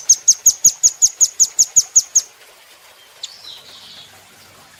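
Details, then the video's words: Training recording of a caged velvet-fronted nuthatch: eleven quick, piercing high chips in a steady run, followed by quiet, one lone note, a soft hissing sound and a final sharp chip. "Rambatan Doraemon Super Gacor"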